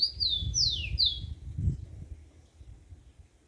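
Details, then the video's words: Yellow-bellied seedeater singing in the wild at dawn: a quick phrase of clear high whistles, the middle notes sweeping downward, with low rumbling background noise. "Canto do papacapim na natureza"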